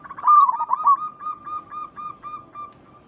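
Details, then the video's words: Local zebra dove song used to get other zebra doves to respond: a loud rolling, bubbling opening followed by a steady row of soft, short cooing notes about four per second. "Perkutut lokal gacor Suara ini membuat Burung Perkutut langsung Nyaut cepat respon"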